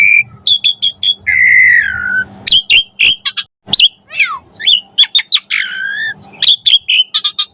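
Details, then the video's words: Asian pied starling singing for pet-starling training: clipped high notes, a long falling whistle, sharp chirps and a descending buzzy phrase, mixing whistles and harsh tones. "Suara Jalak Suren Gacor Full Variasi Cocok Buat Masteran & Pancingan Burung Jalak Agar Gacor Isian"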